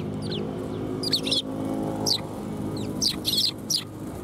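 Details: Several sparrows coming to be fed at a Tenmangu shrine on 18 December 2020: short, high, downward-sliding chirps in scattered bursts and quick doubled notes over a steady low rumble of background noise.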